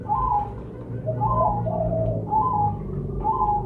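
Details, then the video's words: Spotted dove with mottled plumage, used as a lure call. Drawn-out, mellow coos at steady intervals sit over a loud, low rumbling background hum. "Terukur blorok gacor suara besar cocok untuk pancingan bunyi."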